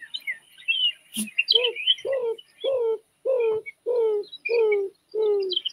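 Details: Greater Roadrunner giving its mate-attracting call, about seven low, dove- or owl-like coos, each sliding downward, roughly every half second; other birds chirp high in the background.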